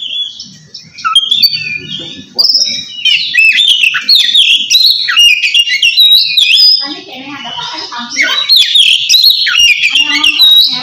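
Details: Oriental magpie-robin in loud open "ngeplong" style, calling a rival, used to coax quiet birds into song; long run of varied loud whistles, slurred notes and chatter, briefly softer around seven seconds before resuming strongly.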